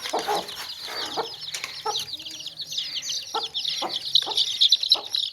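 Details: Baby chicks chirping in a tokri (basket): a dense stream of high, downslurred peeps with louder clear ones near the end, mixed with low clucking sounds from chickens.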